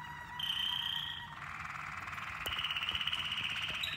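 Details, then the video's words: Waterslager canaries grouped in combinations for song training. A sustained pure whistle gives way to a long, rolling, bubbling trill, then a steady pulsed tour repeated rapidly, with a faint low hum beneath. "Modifying variables for the waterslager canaries on their song training."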